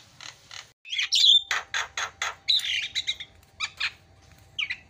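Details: Javan myna song as a lure for a bird gone silent: soft rasps, then a loud squealing burst followed by repeated harsh, broadband chacks and a few thin whistles.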